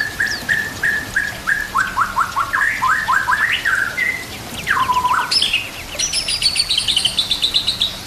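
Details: White-rumped shama song used to train fighter birds: repeated clear whistles, then descending stuttered chip series, a low swooping note and high thin buzzy trills at the end.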